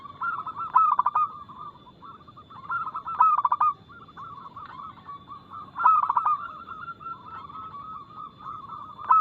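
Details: Fast, loud, crystal-clear local zebra dove song used to get captive doves singing. Rapid staccato coo phrases recur every two to three seconds, overlapping steady cooing from several other doves.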